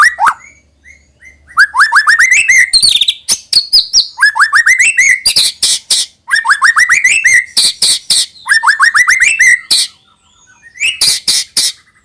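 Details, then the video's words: Song of a White-rumped shama, played to get young birds singing: repeated phrases of fast rising whistled notes alternating with loud harsh scratchy bursts, recurring several times with short gaps. "suara burung MURAI BATU UNTUK MEMANCING MB BAHAN AGAR RAJIN BUNYI DAN GACOOR |SHAMA BIRD"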